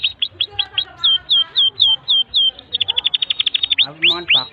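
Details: Long tutor song of a canary for young or stalled birds, with slurred descending whistles in a slow series, then a fast buzzy trill and rising upslurred notes.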